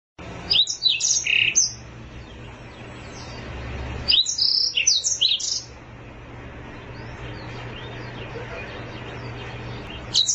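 A black-throated canary sings two bright bursts of quick, high twittering and trilled notes, each lasting about a second and a half, over a low steady hum.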